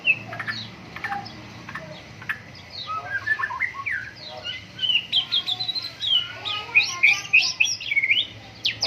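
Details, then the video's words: White-rumped shama singing vigorously at morning dew airing, beginning with scattered sharp clicks and soft notes, then building into a fast, dense stream of high whistles and chips. "MURAI BATU GACOR, PROSES BURUNG MURAI PENGEMBUNAN PAGI"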